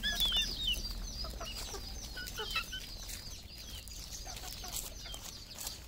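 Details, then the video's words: Red junglefowl kept on a Cambodian farm. A cluster of sharp, high chirps opens the recording and then thins into scattered, fainter peeps. A constant low background drone runs throughout. "red junglefowl farm Cambodia"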